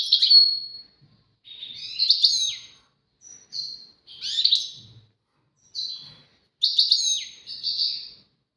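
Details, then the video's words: European goldfinch phrases in the tawawati and tbatbati styles, described as a duet: scattered short twitters, clipped whistles and buzzy notes in small bursts across the recording, with quiet spaces between. "غازارات تواواطي وتباتباتي فالقمة اسمع واتمتع مع المقنين الزين"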